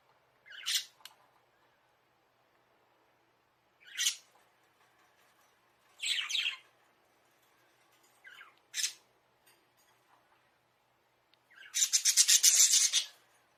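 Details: Pet budgerigars kept in a bird house, caught on a hidden camera, seemingly calling their owner to play: single sharp chirps every two seconds or so, then a buzzy rasping burst of chatter.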